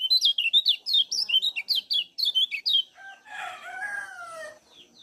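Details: Rapid high chirps from a Lombok kecial kuning, used to stimulate other kecial to sing, run in a bright burst for nearly three seconds before a lower, drawn-out rooster-like crow takes over.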